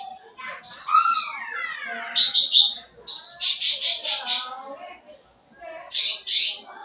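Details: Sooty-headed bulbul in vigorous song with many fill-in phrases, played as a lure for young birds; sliding whistles with layered overtones, sharp chirps, then a long series of rapid scratchy chatters.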